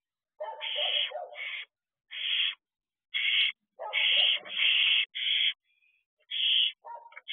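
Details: At night on an owl box perch, barn owl owlets give a run of harsh, breathy screech-hisses, some overlapping, mixed with lower twittering notes and a faint thin whistle near the middle.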